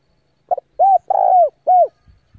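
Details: A decoy spotted dove coos to lure rival doves in to fight: a short clipped note followed by three mellow, hollow coos, the middle one longest, all low and slightly falling, over a quiet background.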